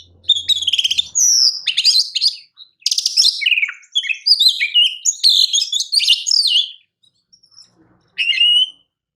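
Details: Oriental magpie-robin (kacer) champion song used as a master recording for training: rich, varied phrases of whistles, sweeping slurred notes and harsh chattering, bursts separated by short pauses, ending with a brief rising phrase.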